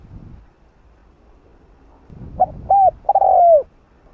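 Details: Cu gáy, the spotted dove, singing the 'hạp bổi' voice meant to excite other doves. After a low rustling noise, one phrase is heard: two brief hoots, then a long, smooth, slowly descending coo.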